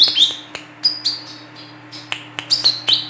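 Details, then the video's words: Female olive-backed sunbird, used as a lure, giving sharp, high, rapid chirps and short downslurred notes in quick bursts, with a steady low electrical hum beneath. "WICEH BETINA GACOR COCOK UNTUK PANCINGAN KOLIBRI KELAPA"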